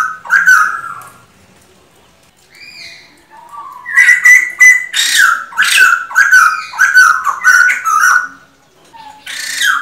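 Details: A male laughingthrush sings loud, rich whistled phrases mixed with harsh, raspy bursts, delivered in quick runs with short pauses between.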